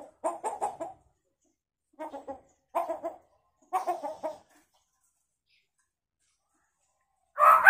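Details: Hill myna imitating chicken sounds: four bursts of quick clucking notes, each of three to five clucks, spaced about a second apart, then a louder harsher squawk at the end.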